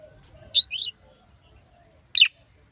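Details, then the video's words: Red-whiskered bulbul singing, a male excited by a female bird; two quick clear whistled notes followed after a pause by one loud slurred whistle, over a quiet low hum. "Chào Mào Mái Kích Trống Căng Lửa"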